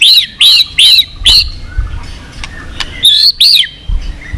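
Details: High, arching whistled notes from a white-rumped shama in song meant to rouse weaker birds, four in quick succession, a pause with faint ticks, then two more.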